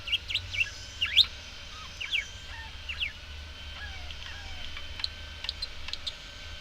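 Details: Budgerigars open with a string of loud bright chirps and squeaky warbles, then carry on in softer, sparser chatter over a faint low hum.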